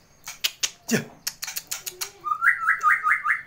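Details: White-rumped shama, a prize-winning contest bird whose song includes imitations of canary, lovebird and other birds: sharp clicking chips and a falling swoop, then a quick run of five bright, rising whistled notes.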